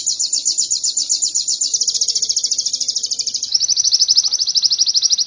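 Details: Canary song used as training material for cage birds in Indonesia: an unbroken, very fast, high-pitched trill that shifts to a slightly lower, steady pulsing roll partway through.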